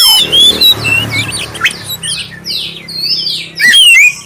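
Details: Oriental magpie-robin, black-breasted form, singing a clear lure song to set other magpie-robins singing: bright whistled slurs and downward-sweeping notes, a soft low hum beneath, and a loud rising whistle burst near the end.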